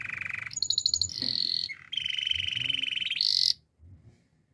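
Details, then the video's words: Belgian canary singing, meant for canary song training. It moves through distinct rolls: a low steady trill, a higher pulsed series, a shrill buzzy tour, then a long even roll. The passage ends in a piercing high burst and falls quiet. "The best belgian canary singing for training! Beautiful song"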